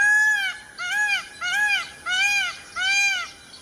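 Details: Peacock calling in a rapid series of five short, arched, nasal honks, about one every 0.7 seconds, each bright and ringing with strong overtones.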